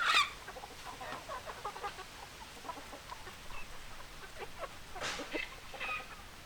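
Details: Chickens clucking: soft, scattered short clucks throughout, with a sharp squawk at the start and another loud squawk near five seconds.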